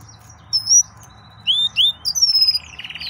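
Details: Excited male yellow-fronted canary singing: a few sweet slurred whistles near the top of the range, two rising and falling notes, then a brighter warbled run ending in a quick stuttered trill.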